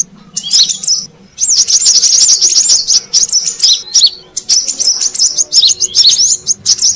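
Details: Brown-throated sunbird lure call, used to attract wild birds: rapid high, thin chirps and twittering trills in dense bursts with short pauses, and a faint steady low hum underneath.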